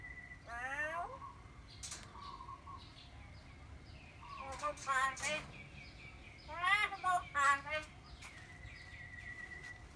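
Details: Pet talking myna producing several speech-like phrases of stacked, wavering harmonic notes, with steady background hum and no other clear sounds.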